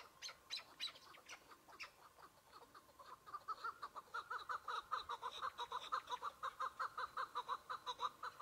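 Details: Chukar partridge, a single bird in spring with patchy snow, at the opening of the hunting season: a few high chirps, then a fast rhythmic chuk-chuk series of mid-pitched clucks, about two per second, growing louder.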